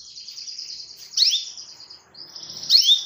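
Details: Canary calling a rival, holding a continuous buzzy trill punctuated by two loud sharp downward-sweeping chirps about one and a half seconds apart.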